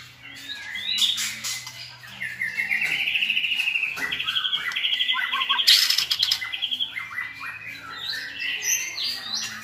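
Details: Training song of white-rumped shamas, several strong singers coaching a chosen young shama in varied phrases; whistled notes lead into a fast rippling trill sequence, with sharp clicks and a low background hum.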